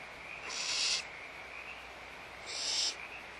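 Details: Barn owls in a nest at Audubon Starr Ranch Sanctuary at feeding time, giving two harsh, hissing screeches about half a second long and two seconds apart, with a faint steady high tone underneath.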